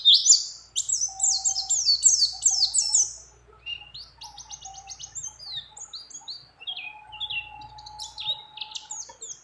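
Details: High chattering song of a female white-eye calling a male while in breeding condition, set among many other birds: a fast burst of sweeping chirps, then scattered thin twitters over a soft, steady lower whistle.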